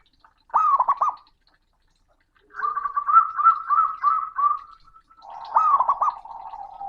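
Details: Loud, booming male zebra dove calling a rival: a stuttering coo phrase, then a long run of rapid rolling coos for two seconds, then another stuttered phrase over a steady lower hum.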